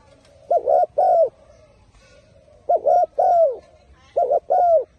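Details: Turtle dove, praised for a strong, firm voice, giving three cooing phrases; each phrase is a short burbled note followed by a longer, smooth, slightly falling coo, spaced about two seconds apart against a quiet background.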